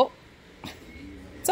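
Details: A pet parrot, a male, repeating "hi pretty bird" over and over, talks in a raspy, speech-like voice: three brief, clipped bursts spaced through a quiet room.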